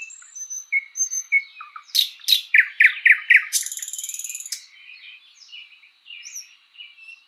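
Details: Thrush nightingale in a spring forest delivers soft whistles, then a rapid run of loud chopping notes leading into a harsh one-second rattling buzz, fading to quiet warbles.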